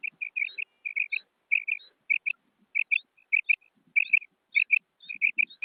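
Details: Female common quail uttering quiet, short notes, mostly in pairs, separated by short gaps. The background is quiet apart from faint low knocks.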